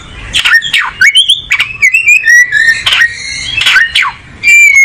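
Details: Singing oriental magpie-robin, a breeder of tropical South Asia from Bangladesh to Indonesia, finding a good spot: rich mix of clear whistles, downward-swept harsh notes and buzzy bursts in quick varied succession, very loud and close.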